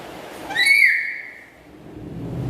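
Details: Pet black-capped lory calling with a single loud, ringing whistle that holds steady and then drops slightly, rich in overtones, followed by quiet background.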